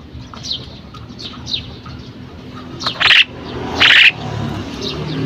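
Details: Female common myna producing soft descending whistles, then two loud grating squawks close together, over steady low background noise.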